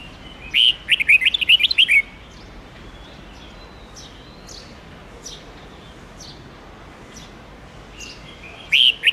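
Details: Red-whiskered bulbul singing forest-style song to teach young birds: a rapid phrase of around eight bright, warbling notes, followed by several seconds of soft scattered chirps and hiss before another loud phrase starts.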